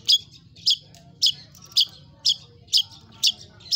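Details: Long-tailed shrike delivering a chatty mimicry-rich song, here reduced to sharp, rasping high notes repeated steadily about twice a second, eight in all, with a soft low hum behind.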